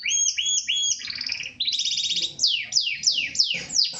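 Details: Gloster canary of the Corona type in full song, starting with paired whistled notes, moving into buzzy rolled trills and finishing with a run of quick descending slurs.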